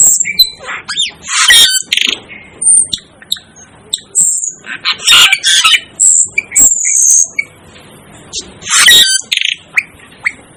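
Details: Over ten seconds, an Asian glossy starling keeps up scattered high, piercing squeals and rough, noisy squawks, broken by short pauses.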